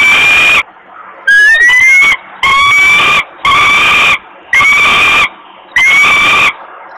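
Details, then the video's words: Female falcon nestling in Włocławek, Poland, wailing with hunger as her father delivers food, 27 May 2022, 20:06; repeated harsh drawn-out cries, six in seven seconds, steady and piercing, with a brief scraping sound early on. "Negra is crying hungry, Dad brings food, she grabs it"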